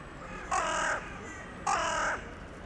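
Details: Town-centre crow at dusk calling to crows flying in for the night: a pair of harsh, nasal caws just over a second apart, steady low background noise.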